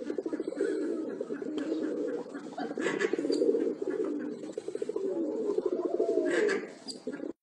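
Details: Fantail pigeons displaying in front of an audience coo in low, throaty, pulsing rolls that overlap almost without pause, with faint rustling and background chatter.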